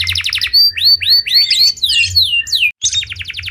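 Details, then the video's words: Canary singing a fast, varied song of high, sharp chirps, trills and swooping whistled notes, with rapid repeated pulses at the start and end, over a low steady hum. "اجمل صوت كناري"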